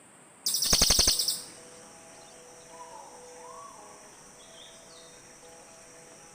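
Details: Cililin bird calling, from a recording of birds answering each other meant to lure birds in forest: one burst of rapid dry ticking notes lasting about a second, then mostly quiet background.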